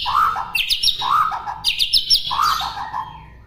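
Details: White-rumped shama song recorded for other birds to copy: low mellow whistled warbles alternate with clusters of high, sharp rising whistles, repeated twice.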